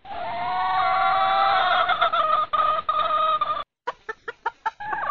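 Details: In breeding season, a red junglefowl hen calls the rooster with a sustained nasal tone that grows choppy, followed after a pause by a series of short, sharp clucks.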